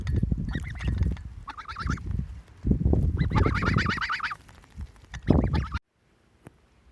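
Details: Pet geese, three in the flock, giving repeated nasal honks in quick rattling series, mixed with loud low thumping and rustling, then sudden silence near the end.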